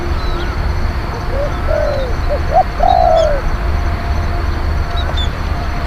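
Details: Spotted dove used as a decoy to lure wild birds, a strong, bold cooer. A single phrase of short clipped coos builds to one long rolling coo, with faint thin whistles from other birds behind and a low background drone.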